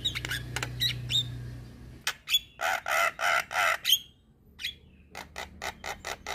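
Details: Jalak kebo, Javan myna, in tutor chatter for young birds: opening whistles and clicks, then a run of harsh buzzy squawks about every third of a second, followed by sharp ticks over a low hum.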